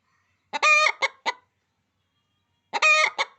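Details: Hen giving two bursts of loud, harsh, nasal clucks, each a long squawking note followed by two short clipped clucks, separated by a couple of seconds of silence, with no other sounds.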